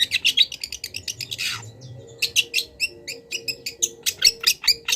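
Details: A long-tailed shrike song for cage-bird training, full of wild-bird mimicry: fast buzzy trills, a harsh descending sweep, then evenly spaced short high chips and bright whistled notes.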